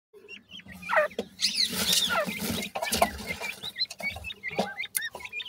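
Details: Grey francolin chicks, known locally as bhura teetar, giving short high chirps and squeaky notes amid steady clicking, tapping and rustling; a loud burst of scratchy noise fills the middle.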